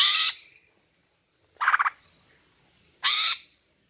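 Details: Female greater green leafbird calling to lure and provoke males into singing: three harsh, buzzy, broadband bursts, each about a third of a second long, spaced about one and a half seconds apart, with a quiet background.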